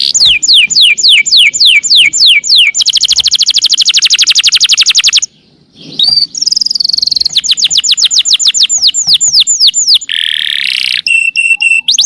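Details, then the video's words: Canary singing for songbird training: series of downslurred whistles, a very fast high trill, a short pause, then varied trills, slurred notes and a buzzy harsh phrase. "Suara Burung | Kenari"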